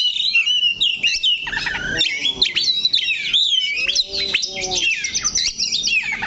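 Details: Kacer, the Oriental magpie-robin, holding one spot on its perch and singing nonstop: bright, high, twisting whistles and quick slurred trills strung together with brief gaps, some scratchy notes, and no other clear sounds.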